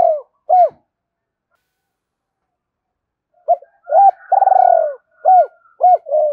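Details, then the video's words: Spotted dove cooing to stimulate other doves: two short arched coos, a gap, then a burst of clipped coos with one long buzzy rolling note, all low and mellow. "Tiếng chim cu gáy gọi hai hậu/ chim cu gay kich boi nhanh noi gù kích bổi hiệu quả"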